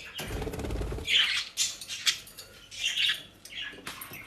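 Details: Pet budgerigars feeding on shop-bought dry leaves and grass in South Holland, Netherlands; a burst of leaf rustling is followed by several high, scratchy chirps spread over a few seconds.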